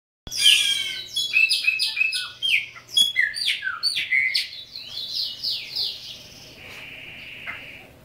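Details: Caged chopi blackbird, native to Brazil, singing its criôlo song: a rapid run of bright, sliding whistled notes, many falling in pitch, tumbling over one another before ending in a long steady whistle.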